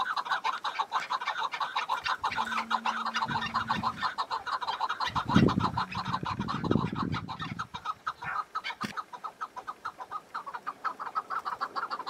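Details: Wild chukar partridge calling in snow-patched mountains in spring: a steady run of hoarse, clucking chuk notes, roughly two per second, with a brief low hum and a burst of low rumbling noise partway through.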